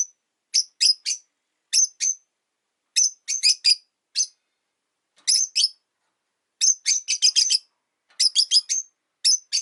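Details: Rosy-faced lovebirds in a window-side cage, five pets that call a lot even in winter; bursts of two to six shrill, clipped high chirps come in irregular clusters separated by quiet gaps.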